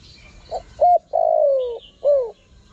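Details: A single cooing phrase from a spotted dove, used to lure wild doves. A quiet short note leads into a clipped coo, then a long, slowly falling coo and a brief falling final coo.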